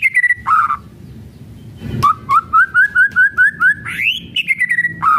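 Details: White-rumped shama in kretekan style, meant to goad other shamas into singing: a brief whistle and low note, then a fast string of about ten short rising chips, ending in a swelling whistle and tumbling notes.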